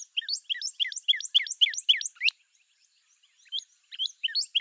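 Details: Northern Cardinal giving a quick run of high, slurred upward-flicking whistles that stops abruptly, followed by silence and a few scattered notes.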